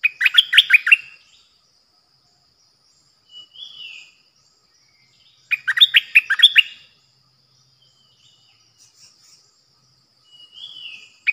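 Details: Decoy bulbul (recorded 8 May 2021) repeats a bright, bubbly phrase of quick downslurred notes twice, about six seconds apart, with softer slurred whistles in the gaps.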